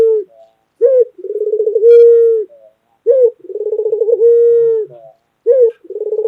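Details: Pet white dove, a local Indonesian bird kept for its loud voice, cooing: a short rising note, then a rapid throbbing roll that settles into a long steady low coo, the phrase repeated about every two and a half seconds.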